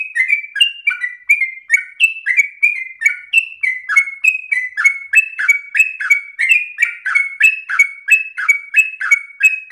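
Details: Persistent yellow-vented bulbul song in ropel style, a steady stream of quick, bright, slurred notes rising and dipping in a bouncing chatter, with no pauses.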